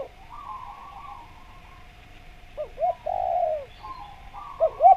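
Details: Spotted dove used as a lure for wild doves: faint buzzy notes, then a soft pair of coos and a long falling croon, with two more coos at the end over a steady background tone.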